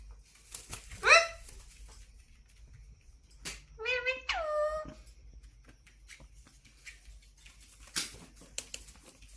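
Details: Pet Indian ringneck parakeets giving two sharp, harmonic squawks, one falling near the one-second mark and a longer pair around four seconds, then quiet clicks and rustling in between.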